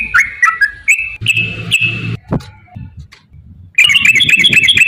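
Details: Yellow-vented bulbul song meant to provoke caged birds into singing. Broken whistled phrases and a buzzy note, then a short quiet gap. A burst of rapid, bright chattering notes follows, over low background hum.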